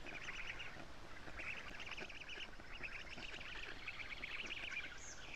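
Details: Nestling black storks calling at their Estonian nest as an adult brings lampreys in June; fast rattling nasal bursts repeated through the clip from several young, with constant hiss behind.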